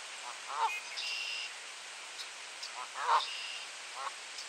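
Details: Goose giving warning honks on an April morning in light rain at Sainte-Adèle, Quebec, Canada; a few harsh nasal honks, two louder bursts about two and a half seconds apart, with faint higher bird calls behind.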